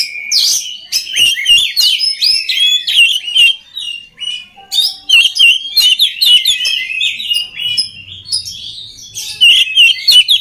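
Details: Oriental magpie-robin singing for training other magpie-robins: long runs of rapid, scratchy chirps and twisting whistles with brief pauses, and a faint low hum in the middle.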